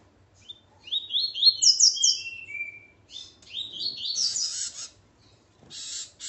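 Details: A male Double-collared Seedeater, with his female, sings loud phrases of quick rising chirps that slide down into a lower whistle, then a second busy high phrase, ending with a brief rasping sound.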